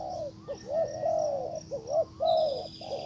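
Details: Decoy spotted dove calling to draw in a wild bird, giving rapid hollow coos that rise and fall in short linked phrases, over a constant low hum and thin high twittering of small birds.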